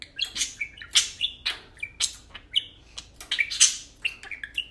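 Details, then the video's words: Two tame pet parakeets talking and playing chatter in a fast, high warble of short chirps, squeaks and whistled notes that tumble over one another almost without pause. "parakeets talking"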